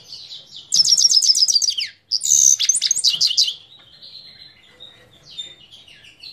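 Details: Himalayan goldfinch singing, Parachinar, Pakistan, 2022, with music playing: two quick bursts of bright, tinkling twitters, each about a second long, followed by softer scattered high notes.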